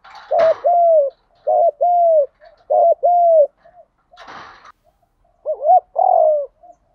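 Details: Spotted dove in a lure and training recording with male and female birds, giving repeated low mellow two-note coos, about three phrases in a row, then a pause with brief rustling noises and a final rising-then-falling coo.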